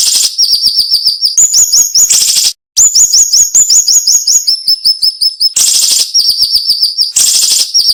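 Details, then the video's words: High, sharp flowerpecker song, the dense, bursting style valued for tutoring cage birds: quick strings of thin, high chips and upslurred notes in tight runs, with short noisy hiss bursts between phrases. "MASTERAN SUARA BURUNG SIRI SIRI NEMBAK TAJAM"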